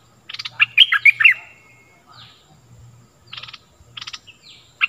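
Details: Stripe-throated bulbul lure song for teaching young birds and attracting wild ones: a loud warbling whistled phrase, then quieter scattered chirps and buzzy note bursts over a low hum.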